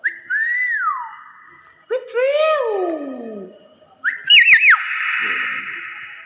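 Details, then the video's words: Hill myna giving loud whistled calls: a clear note that rises and then slides down, followed by a burst of bright overtone-rich swoops, and finally a long shrill whistle with a rapid warble. Faint talk and short bursts of music in the background. "BEO BAGUS SUARA ASLI"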